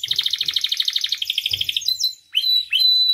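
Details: Canary, used as a master and lure for training song: a fast pulsing buzzy trill lasting over a second, then long pure whistled notes with sharp upward starts, with a brief low thump.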